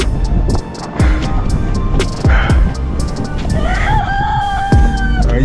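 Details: In a Buffalo, NY winter blizzard with wind gusts over 60 mph and temperatures near 10 degrees, a rooster crows once inside the coop: a drawn-out, slightly rising cry near the end, over music, talking and heavy low wind rumble.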